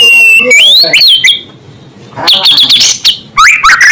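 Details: White-rumped shama song intended to make other shamas agitated: rich swooping whistles and rising slurs, a short pause, then dense, bright twittering phrases and further sliding notes.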